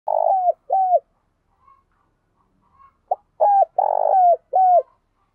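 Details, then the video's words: Spotted dove kept as a decoy bird, cooing vigorously during decoy training: low, mellow coo phrases, each a brief note, then a long rough swelling coo and a falling slurred note, in two bursts separated by near silence. "Chim Cu Mồi Gáy Sung"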